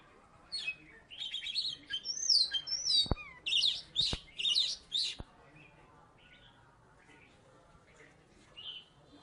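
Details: Oriental magpie-robin from Salatiga, a former third-place contest bird, singing busily: a dense burst of varied whistles, rising and falling slurs and harsh notes with sharp clicks, lasting about four seconds before fading to sparse, faint notes.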